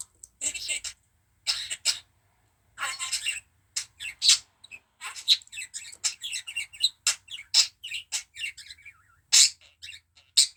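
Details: Pet budgerigar coughing: short harsh broadband bursts, some in quick pairs, followed by rapid high chirps and chattering notes in irregular runs.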